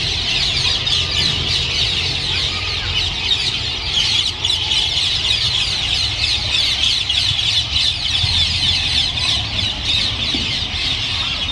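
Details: Feral rose-ringed parakeets, an estimated 1000-strong flock, gathering at a city roost in Japan during winter; an unbroken, loud chorus of piercing screeches and chatter fills the scene, with low background rumble.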